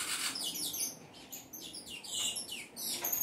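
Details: Saffron finch in full song, pouring out rapid high-pitched chirps and slurred whistles in quick succession with barely a break.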